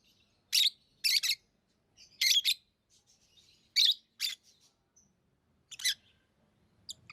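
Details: Lovebirds chirping: short, shrill, harsh bursts, some in quick pairs, spaced about a second apart with quiet gaps between.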